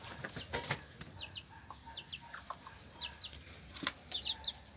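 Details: Chickens, a hen with her chicks: thin, high, downslurred chick peeps in small clusters, with faint low clucks between them and occasional sharp clicks over a steady background hiss.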